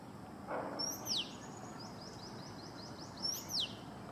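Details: A male Oriental magpie-robin copies a Red-whiskered Bulbul, giving two matching phrases about three seconds apart. Each starts with a short rising note and ends in a clear, falling whistle, with a string of faint, rapid downslurred notes between them.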